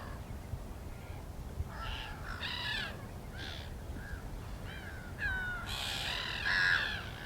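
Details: Black-winged stilt giving nasal, harmonic yapping calls in short bursts, with a few notes near two seconds and a louder, denser cluster toward the end, over a steady low rumbling background.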